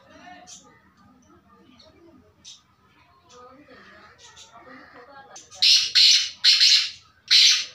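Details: Faint murmuring and soft clicks for several seconds, then a black francolin (kala teetar) bursts into loud harsh rasping notes, four in about two seconds.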